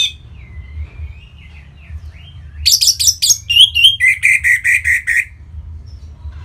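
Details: Orange-headed thrush from Bali, sung to stimulate other birds: a soft wavering whistle, then loud high chattering that settles into about eight evenly repeated notes.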